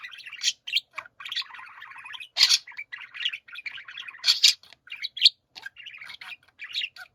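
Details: Chorus of pet budgerigars, a continuous buzzy, grating warble studded with loud piercing squeaks, moving from rolling 'pyoro' phrases to harsh 'giji-giji' chatter.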